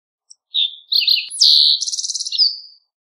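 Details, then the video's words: Green-tailed towhee song with slurred opening whistles, a sharp descending note, a buzzy rapid trill, and a closing high whistle; clean recording. "Green Tailed Towhee Singing! Green Tailed Towhee Calling! - Toqui Coliverde Canto - Pipilo Chlorurus"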